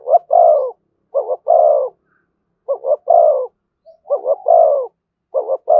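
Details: Low hollow spotted dove coos in the thổ voice, thúc and kèm style, a rapid double note followed by a broad drawn coo, repeated steadily about four times.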